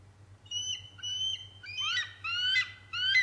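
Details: Bald eagle at the Decorah North nest on December 8, 2017, around 2:21 pm, during a chase with a sub-adult: thin high whistled notes, then a series of rising, squealing chittering calls growing louder, over faint low hum.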